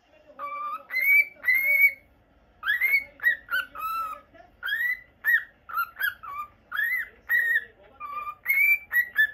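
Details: Indoor pet cockatiel, normal lutino, whistling a steady series of short clear notes, mostly rising or falling slurs, spaced about half a second apart after an opening pair of longer whistles.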